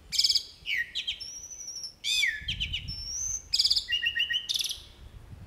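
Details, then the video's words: Jalak uret starling singing actively with a full fill-in song: buzzy broadband rasps alternating with clear high whistles and a sliding whistle, then a short run of quick repeated notes, delivered in varied bursts. "JALAK URET FULL ISIAN GACOR"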